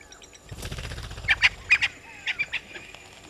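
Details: Spurfowl at Gowrie dam waterhole, Djuma Game Reserve, Sabi Sand, South Africa, at 16:54, give harsh, scratchy notes in two quick bursts of three or four after a soft flutter like wingbeats.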